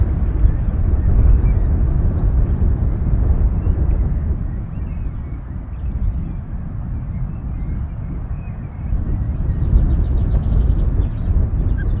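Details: Low rumbling wind or engine-like noise fills the recording from a nest camera at Loch of the Lowes, Scotland, with no clear animal voice present.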